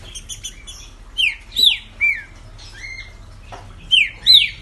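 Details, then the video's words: Green-winged saltator kept by its owner in Brazil, a fast-singing bird of the 2020 season, giving loud clear whistled phrases: downslurred and upswept notes in pairs after a quick stuttering opening, with faint background hum. "Trinca Ferro Ligeirinho"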